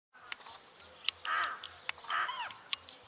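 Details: Rook, Corvus frugilegus: two harsh, hoarse caws about a second apart, rasping and broad, with scattered sharp clicks and a faint low hum in the background.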